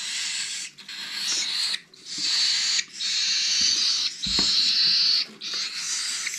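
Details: Hand-fed cockatiel chicks, the final brood of 2021, beg in a run of scratchy rasping bursts roughly a second each, with a few soft thuds from feeding.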